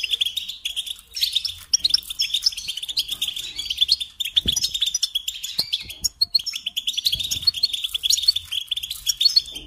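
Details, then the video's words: A European goldfinch in steady song for teaching young songbirds: unbroken rapid chatter of bright chirps, trills and buzzy rattles at a high pitch, with a few soft low taps. "Teaching Singing Lessons Through Goldfinch Motives"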